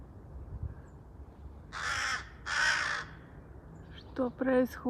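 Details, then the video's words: Two long, grating caws from restless crows, each close to a second, followed by a woman speaking in a questioning tone. "У ворон неспокойно 😅 Crow sound effects"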